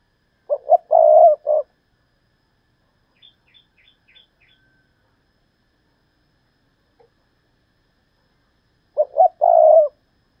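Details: Decoy spotted dove calling in the thúc lợi cốt style. Two phrases about 8.5 seconds apart, each of short coos leading into a long low coo. Faint high chirps from another small bird are heard in the gap.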